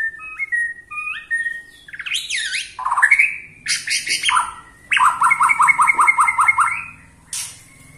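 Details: Provoking song of a white-rumped shama, Borneo style, beginning with stepped clear whistles, then rich slurred phrases and a fast rhythmic series of about ten repeated chopping notes.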